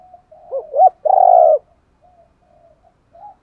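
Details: Urging decoy call of a spotted dove: two rising short hoots lead into a long buzzy, vibrating coo, followed by soft faint notes.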